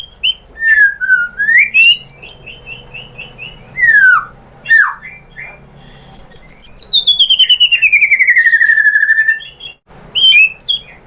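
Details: Murai batu song used to provoke other birds into singing: slurred whistles and a string of repeated notes, then a long, drawn-out, slowly descending whistle with a raspy edge, ending in short sharp notes.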